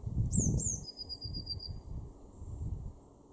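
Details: A Eurasian blue tit in a garden in Weener, East Frisia, Germany, in March 2024, gives two very high, thin falling notes, then a fine, slightly descending trill of about a second, over low wind rumble.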